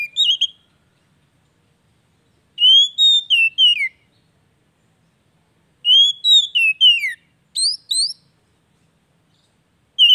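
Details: Oriental magpie-robin singing, a recording used to lure a silent bird into singing again; three bursts of rich, slurred whistles with upward and downward glides, separated by pauses of about two seconds.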